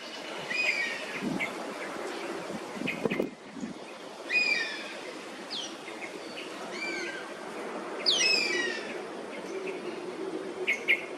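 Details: Perched Oriental honey buzzard in Singapore, calling repeatedly as a flock of Oriental pied hornbills invades its roost. Descending high whistles with harmonics come in scattered bursts, with a companion calling in the background over steady low environmental hiss.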